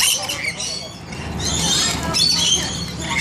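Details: Flock of rainbow lorikeets at bath time, shrill grating screeches rising and falling in waves, loudest toward the end, with a faint low hum underneath.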